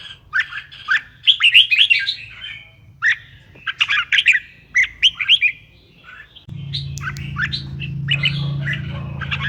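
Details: Song of a red-whiskered bulbul, played to get bulbuls singing: lively runs of bubbling, warbled notes in closely spaced bursts, then a steady low droning noise sets in for the final few seconds while the chirping continues.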